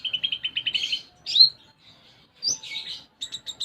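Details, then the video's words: Konin, a sunbird, in gacor song of the isian gereja style. It opens with a quick rhythmic trill of about eight pulses, then a loud twisting whistle, a scratchy buzz and a short run of high stuttered chips. "Konin Gacor Isian Gereja"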